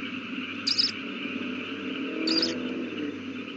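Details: Owl at the nest where a chick has just hatched, 18 April 2019, 8:32 pm. Two brief, thin, high hissy notes sound about 1.6 seconds apart against a low steady hum.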